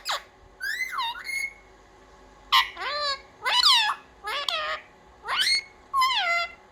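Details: Talking parrot, a house pet, practises "mummy papa": separate drawn-out, nasal, speech-like syllables, some sliding down and others rising, spaced by short silences in a quiet room.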